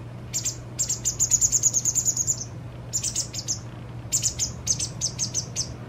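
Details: White wagtail fledgling two days from independence, fed by its parent: high piercing chirps building into a fast, even trill lasting over a second, followed by further short bursts of rapid notes; low hum beneath.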